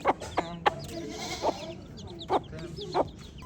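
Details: High, thin peeps from baby chicks, fewer and more spaced out, broken by several loud sharp taps and a faint lower droning tone underneath.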